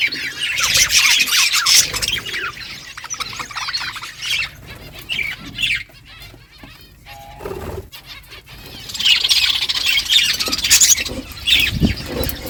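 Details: A budgerigar flock at morning, talking to each other: loud warbling chatter at the start, a quieter stretch with a few isolated chirps, then the busy chorus returns near the end.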